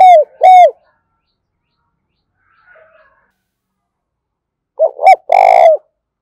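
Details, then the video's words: Captive decoy spotted dove calling energetically to attract wild doves: the tail of one cooing phrase, a long pause with a faint distant call, then a stuttering double note and a long rough coo. "Tiếng chim cu gáy thúc bổi rất sung, mở nên bổi và mồi nghe gáy theo cả ngày"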